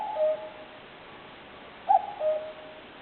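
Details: Common cuckoo heard in woodland where wild birds live, recorded on a digital camera: the tail of one cuck-oo, then a full call with a short higher note sliding down to a lower, drawn-out second note, set against steady hiss.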